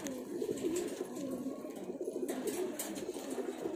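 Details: Rapid, rolling, low coos from a pair of pigeons, in clearly pulsed phrases repeated back to back without a break.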